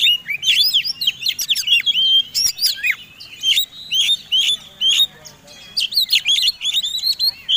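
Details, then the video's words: Combination song of a fighting-type Oriental magpie-robin, played to provoke other birds into singing: quick clusters of bright whistled notes and rising and falling slurs, interspersed with sharp clicks, in repeated bursts. "Suara Kombinasi Kacer Tarung Super Gacor"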